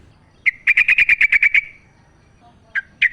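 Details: Wild yellow-vented bulbul in full lively song as a lure for captive birds: a single chirp, then a quick even run of about ten bubbling notes, followed by two separate sharp chirps.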